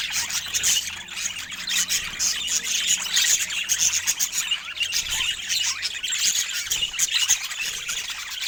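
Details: Pet budgerigars giving a dense, continuous high chirping and twittering chatter, with several birds apparently calling over one another with no clear pauses.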